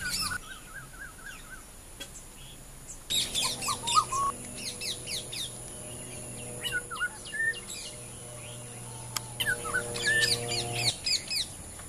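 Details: Sri Lanka blue magpie, the endemic bird of Sri Lanka, giving a busy run of sharp chirps and short whistled notes, some rising, with steady tonal hum and quieter calls before a louder burst.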